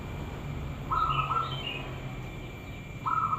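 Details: Zebra dove singing as a lure meant to make other doves answer: short, soft, quavering cooing phrases, one near the start and another toward the end, with a few higher chirps from another bird and steady low background rumble.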